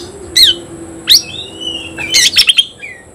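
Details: Oriental magpie-robin challenging a rival in song: spaced sharp whistled notes and long sliding whistles, followed by a fast chattering burst and a closing soft whistle over a faint steady hum.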